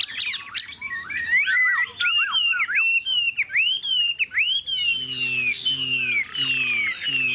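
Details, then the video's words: Large-bodied caged Chinese hwamei in full song: a fast stream of rich, sweeping whistles, rising and falling slurs and buzzy trills, ending with a man's low voice beneath long descending whistled notes. "Chim họa mi bộ to như khướu, dáng ngũ trường, giọng hay"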